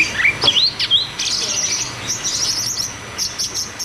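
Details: Rolling song of a caged cucak cungkok, played to stir birds that have stopped singing: a few rising whistled notes open into a steady high chatter of quick repeated notes.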